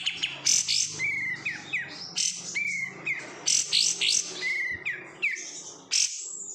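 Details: Song of a caged oriental white-eye reared from bulk market birds: short clear whistles, some rising, alternating with dense high chattering bursts, delivered in an unbroken energetic stream.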